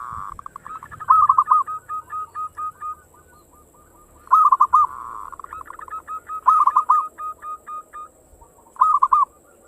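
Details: Fast-singing local zebra dove, ngayer engkel style, used as a lure to set other birds singing: loud bursts of rapid coos roughly every two seconds, each trailing into softer, evenly spaced notes.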